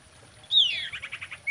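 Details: Common iora singing in a mating context, a bright whistle sliding down, then a run of quick, even chattering notes, ending on a short high whistle.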